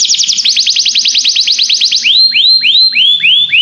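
A canary sings a fast trill of about a dozen high, falling notes per second, then switches to slower, rising whistled notes about three per second.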